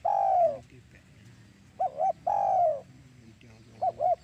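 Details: Spotted dove coos as used for lure trapping: long, drawn-out descending coos alternating with quick paired short notes, roughly every two seconds, over a quiet low hum.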